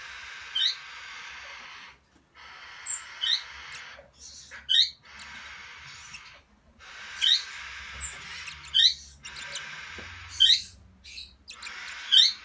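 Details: A ruby (rubino) Bourke's parrot gives short, high chirps, singly or in quick pairs every second or two, over a steady hiss of background noise.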